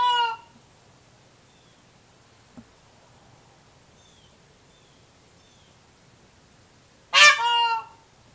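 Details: Male Indian peafowl in a residential area of Cocoa Beach, Florida, filmed August 14, 2019: a loud, harsh, harmonic honk is clipped at the start, then a long, ringing honk arrives near the end. Faint, thin chirps of small birds sound in between.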